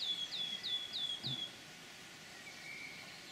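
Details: Forest of Dean wood warbler, 6 May 2018: four clear, piping, down-slurred notes in quick, even succession, then a quiet pause with a faint, distant whistle.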